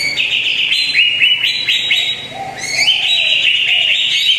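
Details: Greater green leafbird lure song for a bird that seldom sings: quick, repeated upswept whistles and chirps in a lively stream, with a brief softer moment midway before resuming.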